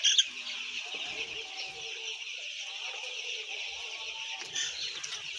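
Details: Thousands of white chicks, about 10,000, fill the air with a steady high-pitched peeping chorus. A louder chirp rings out at the start, and brief lower cheeps follow.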